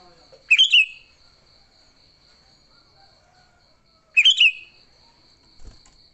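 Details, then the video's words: Sooty-headed bulbul singing an energetic fighting song used to lure other bulbuls: two short, rich, chattering phrases about three and a half seconds apart, over a steady high insect-like buzz. "Suara Burung Kutilang Gacor TARUNG Tanpa isian, Ampuh untuk pikat Kutilang jadikan Kutilang ribut."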